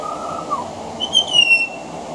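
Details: Pied butcherbird singing on a veranda: a low, sustained whistle that slides down, then a brighter, higher whistled note that falls gently, over faint steady background noise.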